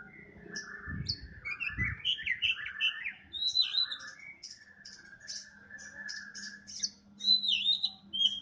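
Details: Morning song of a caged Oriental magpie-robin (kacer poci form), set out to sunbathe to make it sing keenly: a varied run of warbled phrases, rising and falling whistles and sweeping high notes, over a faint steady low hum.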